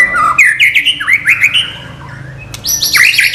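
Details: Murai batu, the white-rumped shama, in a non-gelembung training song: loud stepped whistles sliding up and down, then a burst of bright high chirping notes.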